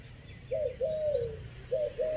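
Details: Spotted dove decoy song from Chiang Mai in three-note 'kuk' style, fifth phrase. Four mellow coos: a short first note, a long falling second, then two short notes after a brief pause.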